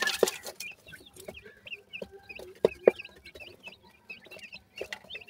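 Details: Grey francolin (desi teetar) chicks feeding at the nest: high, thin peeps with short rising and falling slurs, scattered through the recording, mixed with sharp tapping clicks.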